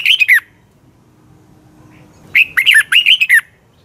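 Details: A Red-whiskered bulbul sings at dawn for training purposes, giving a brief fluty phrase, then after a pause a longer run of rapid, up-and-down whistled notes.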